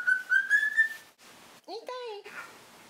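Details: Pet cockatiel kept indoors, possibly in breeding condition: four clear whistled notes in quick succession, each drifting slightly upward, then after a short pause a lower, bent, harmonic-rich whistle that dips and rises.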